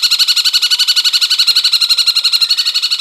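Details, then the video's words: Cungkok heard on a masteran tutoring track, delivering a steady, loud, rattling trill of rich harmonic notes, about ten pulses per second, held unbroken throughout. "masteran burung cungkok"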